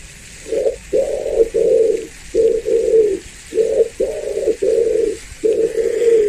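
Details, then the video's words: Pigeon cooing in a steady run of low, throaty coos: about nine short hooting phrases, each under half a second, in uneven clusters with brief gaps, over a faint hiss. "pigeon sound"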